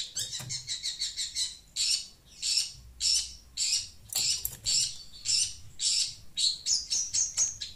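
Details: Shrike (pentet), noisy and chattering as it reacts to sound played from a phone; harsh, buzzy high notes repeated in quick bursts, roughly two per second, some rapid clipped chatter at the start and end.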